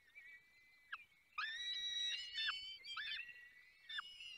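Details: Falcons at a nest in the Barycz Valley, Poland, during feeding: thin whistled notes with sharp downward slurs, a brief one near the start, then a dense run of overlapping high calls, pausing and resuming in short bursts.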